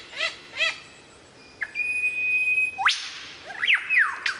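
Lyrebird song: two harsh downslurred notes, a long steady high whistle, then a loud sweeping note and quick rising and falling phrases, varied like mimicry.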